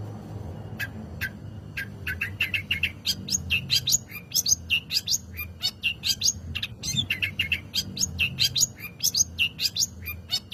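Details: Chattering Long-tailed shrike song used to spur other birds into song: a long, rapid stream of varied chirps, buzzy notes and quick upward whistles, growing denser after the opening seconds.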